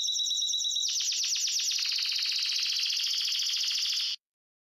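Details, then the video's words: Wild Spanish Timbrado canary pours out a continuous dense, buzzy trill that shifts in pitch for about four seconds, then stops abruptly. "Wild Spanish Timbrado Canarie singing."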